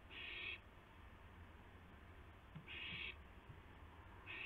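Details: An owl at night, 2:51 AM on 2 April 2016, during delivery of a gopher to another owl: three rasping, breathy screeches, each about half a second long and spaced roughly two and a half seconds apart, with quiet low rumble between.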